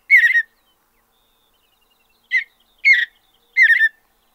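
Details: Mountain bluebird singing in open western North American habitat: short, burry, warbled phrases with a clear whistled core, one at the start and then three in quick succession after a pause.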